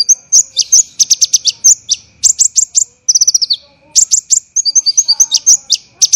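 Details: Olive-backed sunbird (konin) in a songbird training recording, harsh 'tembakan' style: long rapid volleys of very high sharp chips, a brief falling trill near the middle and tinkling paired notes toward the end, with a faint hum.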